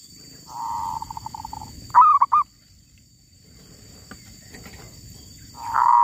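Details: Wild female zebra dove gives a beaded trill, then a loud clipped coo; after a pause with rustling background noise, a new phrase begins at the end.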